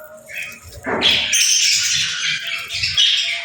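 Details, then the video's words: Playful birds give melodious chirping, a dense, continuous chatter of high twittering notes and squeaky whistles that runs almost without a break after a soft opening note. "Relaxing Chirping Sounds"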